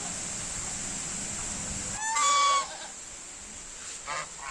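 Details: A white domestic goose gives one loud, nasal, brassy honk lasting about half a second, then a brief fainter one, over a steady high insect-like hiss.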